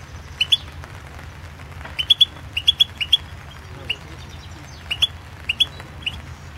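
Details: European goldfinch of the Balkan form Carduelis carduelis balcanica, recorded as an entry in the 2016 internet World Championship in Goldfinch Song. Short bright chirped notes, often in quick pairs, sparsely spaced over a steady low hum.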